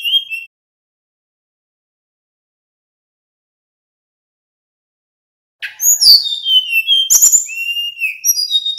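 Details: Male little pied flycatcher in 'nyeklek' song, played to make other birds respond. A brief whistle, a long pause, then a lively three-second run of high sweeping whistles and chirps.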